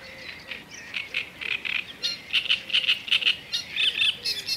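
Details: Black-necked grebe giving rapid repeated high, clipped notes in loose rhythmic bursts that grow louder toward the end, with faint lower whistled sounds underneath.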